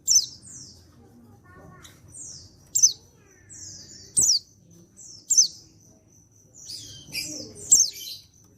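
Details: Male white-eye, a Pacitan bird not yet trained, giving provoking calls so others answer. Rapid thin high notes slide downward, some run together near the end, with a steady faint high tone and low hum behind.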